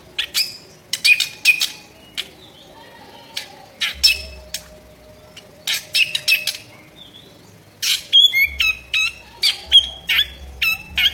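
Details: Harsh-voiced drongo calling vigorously as songbird tutoring material: clusters of rasping, scratchy bursts with brief thin whistles, separated by short pauses, with a faint low hum at times.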